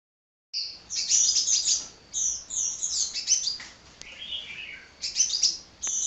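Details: Hummingbird singing nonstop in an energetic burst: rapid high twittering and sharp chirps in dense phrases, broken by short pauses, with a few clicks and no other clear sounds.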